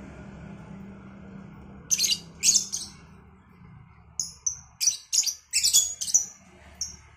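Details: Cobalt and Batman lovebirds answering each other in the morning: clusters of piercing high chirps and harsh squeaky bursts, quickening into a rapid series near the end, over a faint low hum.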